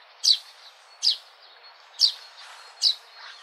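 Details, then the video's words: Sparrow repeating a brisk, high chirp four times, about every 0.9 seconds, with faint soft notes trailing after them. "Sparrow sound | natural peaceful sparrow sound | relaxing sparrow sound"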